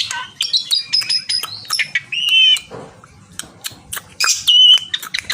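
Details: Javan pied starling summoning a rival: clear high whistles and squeaky chips, a short buzzy squawk, then more ringing whistled notes amid sharp clicks.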